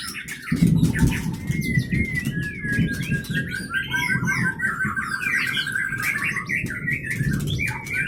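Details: White-rumped shama of the Leuser strain, captive-bred in Gayo Lues, Aceh; fast varied chattering and whistled notes over strong low-frequency rumbling noise.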